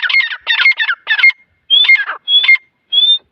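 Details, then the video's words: Harsh chattering squawks alternate with clear high whistled slurs from grey francolin chicks at Taunsa, in short bursts separated by brief pauses. "Dakni titar chicks|dakni titar sound"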